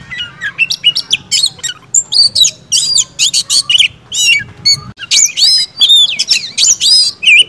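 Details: Kacer, or white-rumped shama, producing clustered harsh buzzy notes and high whistles in fast bursts, a short gap, then more whistled phrases, with low hum beneath.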